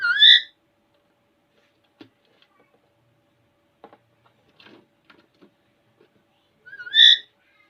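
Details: A playful, talkative pet Alexandrine parakeet in front of a mirror gives two loud, rising, whistled calls about seven seconds apart, with faint clicks and taps between them in a quiet room.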